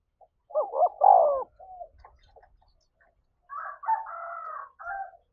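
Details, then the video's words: A spotted dove coos to provoke a fight in the thổ voice style: one loud double-note-and-long-coo phrase with soft trailing notes. It is followed by a different, higher and rougher series of harmonic calls, with faint clicks in between. "tiếng chim cu gáy thúc đấu"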